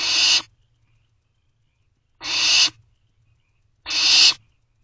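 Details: Barn owl owlets in a nest box at 11:48 pm on 24 May 2023, calling to their parents for food: three harsh, hissing screeches, each about half a second long, spaced roughly two seconds apart, with a faint low rumble beneath.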